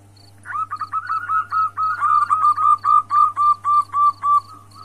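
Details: Female zebra dove calling to a male: a fast run of soft cooing notes, about fifteen in under four seconds, with a faint steady hum behind.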